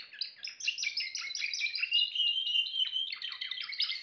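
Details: Timbrado canary singing a continuous run of rapid trills and warbled phrases, many short notes stacked in quick succession, with a long steady rolling trill in the middle before bright chirping phrases resume.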